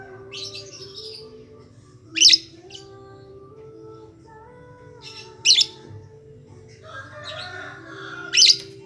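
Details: Shrill, piercing lovebird chirps used as a lure to set other lovebirds singing, three sharp bursts spaced about three seconds apart, with a low humming background and faint tonal notes between them.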